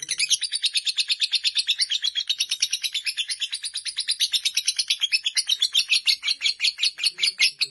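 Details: Lovebird of fighter type giving a long unbroken chatter: rapid, harsh, high-pitched notes pulsing almost three times a second, steady throughout.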